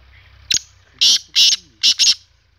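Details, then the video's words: Black francolin (kala teetar) calling: a short sharp click, then two long, harsh rasping notes, then two quicker rasping notes in close succession. The surroundings are otherwise quiet, with only a faint low hum. "KALA TEETAR KI AWAZ"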